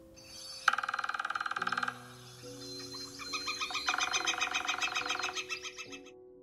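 A Northern Flicker gives a fast, buzzy series of about fifteen notes a second, then a slower, harmonic run of repeated notes, over a low, steady musical drone.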